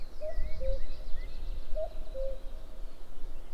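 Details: Cuckoo recorded 11 May 2022, giving repeated two-note cu-coo calls, a higher note dropping to a lower one, about every one and a half seconds. Thin twittering of small birds and a steady low rumble sit behind them.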